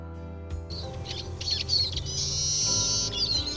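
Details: A Eurasian siskin call: high twittering chirps, then a drawn-out buzzy wheeze ending in quick falling notes, with soft music underneath.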